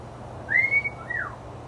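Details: Pet African grey parrot whistling indoors, a short loud note sweeping upward and holding, followed by a softer slurred whistle that falls away, part of its whistled rendition of a football team's fight song.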